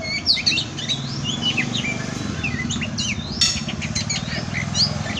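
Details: Oriental magpie-robin song used as kacer masteran: varied whistled phrases with quick up-and-down slurs and a sudden buzzy burst, over a steady low engine-like hum.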